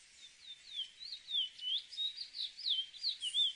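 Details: Chestnut-bellied seed finch (cacahuero) song: a flowing series of liquid whistled notes, downslurred and looping, growing louder toward the end.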